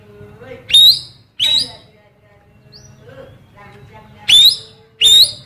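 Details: Female oriental magpie-robin phrases, delivered by a blue cucak keling to draw in males: four loud, harsh notes with rising whistles, paired at the start and the end, with a faint short whistle between the pairs.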